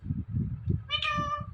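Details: A talking parrot says "Mithu": one clear, nasal, harmonic utterance about half a second long near the end, over a steady low background hum.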